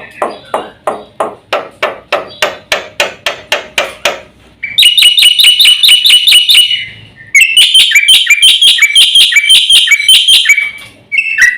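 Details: Javan white starling master song for provoking birds: about four seconds of evenly spaced lower, rasping pulses, then loud, fast, shrill chatter in two long bursts with a short pause between.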